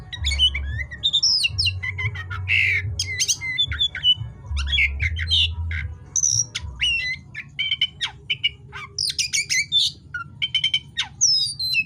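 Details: Night-time 'gacor' song of an oriental magpie-robin (kacer): a long, busy stream of whistled slurs, rough squawks and rapid clicking chirps, growing into quick repeated bursts later on, with a faint low hum early.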